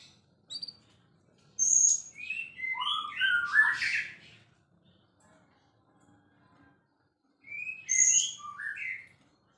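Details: White-rumped shama described as a champion, singing busily: two rich bursts of varied whistled notes, a high piercing note then tumbling, jumbled phrases, separated by several seconds of near silence with faint low hum.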